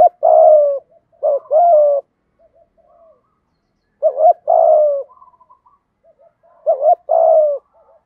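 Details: Spotted doves, cock and hen, cooing as a lure for wild birds. Three phrases of low hollow coos, each a quick double note followed by a long level coo, with soft faint murmurs between phrases.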